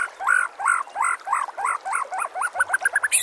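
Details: White-rumped shama master song used for training other birds: a fast series of arched, slurred notes repeated about three per second, speeding up and shortening toward the end.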